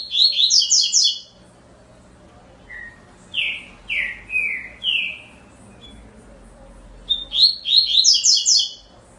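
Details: Double-collared seedeater in full song: rapid bursts of high twittering notes, a pause, a series of four falling slurred whistles, then the quick twittering phrase again.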